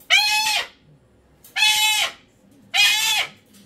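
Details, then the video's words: Three long raspy screams from a pet cockatoo, each half a second, arching down at the end, spaced roughly every 1.3 seconds indoors. "Cockatoo Meltdown To Whispering"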